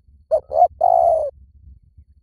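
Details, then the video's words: Spotted dove call used as a lure: two short hooting coos followed by one longer, drawn-out coo that sinks slightly at the end. The phrase is heard once against a quiet background. "เสียงนกเขาใหญ่ ต่อเข้าเร็วสุด ป่าไหนก็เข้า"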